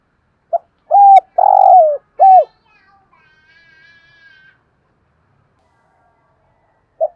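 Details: Spotted dove used as a decoy bird to lure others, giving one cooing phrase: a short note, then three loud hollow coos, the middle one longest, followed by faint quieter notes and silence.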